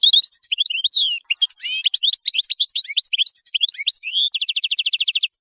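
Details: European goldfinch song used for tutoring young goldfinches, rich in strong harsh 'nahrat' phrases: fast tinkling twitter of varied high notes, closing with a rapid buzzy trill of evenly repeated notes.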